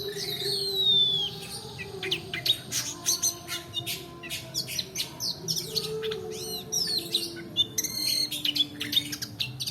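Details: Long-tailed shrike in long roll song, used to lure a quiet shrike into singing and as a master recording for other birds: a falling whistle opens, then rapid clicking chatter and short trills.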